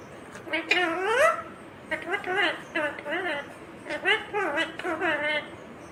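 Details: Indian ringneck parakeet, green parrot, chattering a rapid run of harmonic speech-like syllables in two dense bursts with bouncing, swooping pitch.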